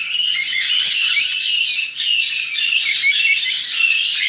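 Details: Nine white-bellied caique babies chattering in an aviary near Dallas, Texas, raised by a breeder: a dense, continuous mix of shrill squeaks, whistled notes and buzzy chirps, steady and loud throughout.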